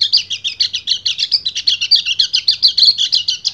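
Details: Breeding-condition male white-eye calling a female with a dense, rapid high twittering song delivered nonstop, notes pulsing roughly five or six times a second, bright and chattery throughout.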